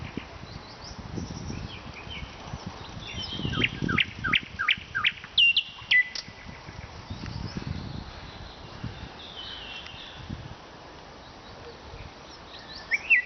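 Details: Nightingale song recorded in Vologda, Russia: sparse high notes, then a cluster of sharp descending whistles midway, over rumbling low background noise and pauses.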